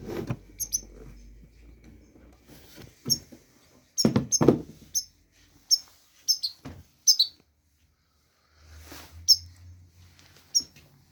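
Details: European goldfinch song, offered as a model for teaching young goldfinches: short, high, sharp chirps and twittering notes in scattered bursts, with loud knocks and thumps nearby indoors and a quiet low hum.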